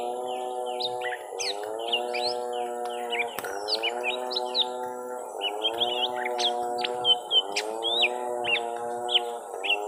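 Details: Young lesser green leafbird fighting a rival, round one of a long bout: scattered high chirps and short slurred whistles repeat in groups over a loud, continuous droning hum with rising and falling tones.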